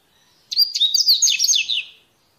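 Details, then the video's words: A wild Double-collared seedeater (mateiro type) singing in nature gives one quick, high phrase of about a second and a half: a tumbling run of sharp chirps and slurred whistles against a quiet background. "Esquenta qualquer coleirinho com esse canto mateiro"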